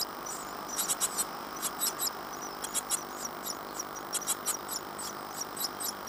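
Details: Great tit nestlings in a nest box at Falmouth, UK, 14 days after hatching in late April 2011. They give thin, very high chirps in quick clusters of two to four, with brief pauses between bursts.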